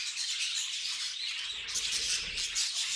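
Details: Short burst of pet budgie noises: high scratchy warbling with a few clearer whistled chirps, dense and continuous.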